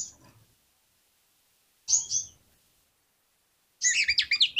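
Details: Oriental magpie-robin lure song for prompting other magpie-robins to sing: short high scratchy notes spaced apart by silences, closing with a rapid, chattering burst of harsh high notes.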